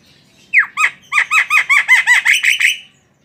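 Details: Javan myna, a tame bird, delivering a rapid run of about ten harsh, arched squawking notes, roughly three per second, each sliding downward, loud and clear against a quiet background.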